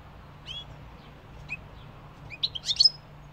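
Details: European goldfinch song: a few thin, separate chirps followed by a brief, bright twittering flourish of high tinkling notes at the close, with faint background hum.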